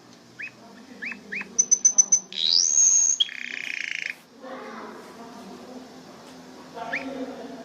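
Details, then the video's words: Pet canary giving scattered upslurred chirps, a quick burst of high pips, a rising sweep and a buzzy rattle, then softer twittering over low background murmur. "صوت طائر الكناري canary bird sound"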